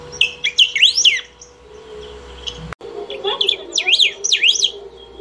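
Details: A saffron finch sings nonstop to call or train; bright, looping zigzag whistled phrases, briefly broken by a sharp click, then resumed with more rising and falling swoops.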